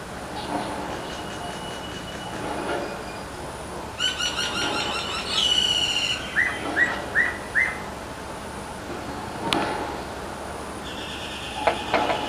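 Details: Common mynas interacting with each other on a utility pole; harsh chattering bursts, then four clear whistled notes in a row and scattered sharp clicks, against a constant hum with a high tone.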